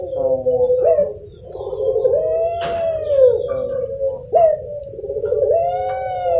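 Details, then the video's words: Kept puter pelung dove from Java, Indonesia, in sound played to stimulate young birds: sustained mid-pitched coos gliding up then slowly sinking, with a short sharp click and a steady shrill hum high above. "FIBRASI RANGSANGAN SUARA UNTUK PUTER PELUNG YANG MASIH MUDA"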